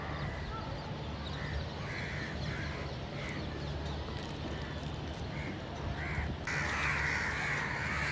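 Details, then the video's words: Scattered, spaced crow caws, each a short hoarse note, ending in a louder burst of rough calling near the end, above a low humming background. "Loud Crow Noises, Kak Pakhi Sound, Kauwa Ki Awaaz, Kakkar Dak, Funny Crow Sounds"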